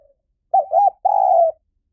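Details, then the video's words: Decoy call of a spotted dove for luring wild doves: a doubled short coo leading into a sustained, slightly falling hoot, clear and isolated. "เสียงนกเขาใหญ่ หมานๆ ต่อเข้าเร็ว ป่าไหนก็เข้า"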